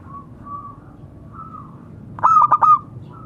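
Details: Local zebra dove calling to others: a few faint, soft coos drift in, then a single loud burst of four rapid, clipped notes.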